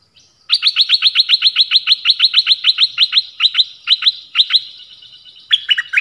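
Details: >Nok dok taeng song in the 'phleng boen' style, used to train young birds to sing along: a long, rapid series of sharp, high, down-slurred notes at several per second, slowing, then a brief varied chirpy phrase at the end.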